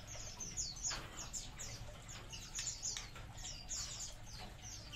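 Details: A colony of munias chirping together, with quick, high, descending notes in loose clusters from many birds and a faint low background drone.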